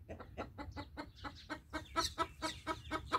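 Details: Rooster alert calling as a fast, insistent series of clipped clucks, roughly two per second, growing louder and sharper toward the end.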